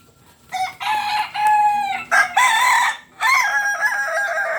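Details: Kokok Balenggek rooster from Solok, West Sumatra, crowing loudly at close range: a series of rich harmonic notes, the first steady, later ones wavering up and down, in several linked phrases over four seconds.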